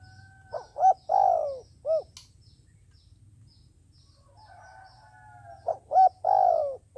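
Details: Captive decoy dove used by trappers to lure wild doves, cooing in low mellow phrases: short clipped notes and one long note falling in pitch, given twice with a quiet pause between; faint humming and a distant whistle behind.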